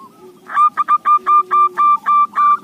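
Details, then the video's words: Local zebra dove song, suited for luring: about eight loud cooing notes delivered in a steady, even rhythm at one pitch, with a faint low hum underneath. "Perkutut lokal suara cocok buat pancingan"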